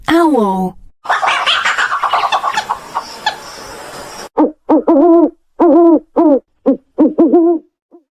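A spoken word comes first, then a burst of clapping, then an owl gives a run of short, mellow hoots, about two each second.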